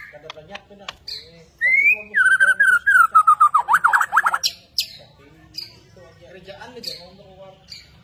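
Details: Borneo white-rumped shama, lively and bowing as it sings. A descending run of quick, clear whistled notes ends in sharp zigzag trills, with faint voices and softer chirps around it.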